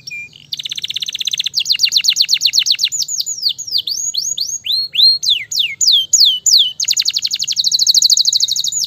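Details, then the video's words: A Belgian canary, described as a Gloster fighter canary singing in full, fast song, gives rapid rolled trills, then a run of swooping whistled notes falling in pitch, ending in a buzzing high trill. "KENARI GLOSTER GACOR SPEED RAPAT"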